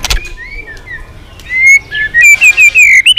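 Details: White-rumped shama, urged into intense song while flicking its tail. After a sharp knock and soft high whistles, a series of clear, loud whistled notes follows near the end, each slightly falling in pitch.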